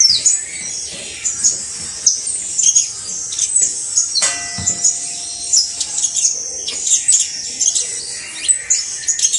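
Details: Saffron finch, a criollo canary (canario basto), singing a long, dense high twittering song of rapid chirps and trills, with brief bursts of louder notes and a faint low thump near the middle.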